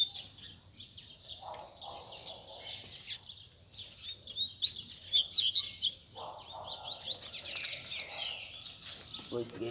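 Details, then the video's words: Chorus of caged Rusty-collared seedeaters gathered by bird keepers on a Sunday to warm up a competition bird. High, overlapping twittered phrases and quick trills run almost continuously, swelling louder midway, over a low rumbling background. "BADERNA de Coleiros TOP - Ótimo para esquentar seu Coleiro de Roda!!!"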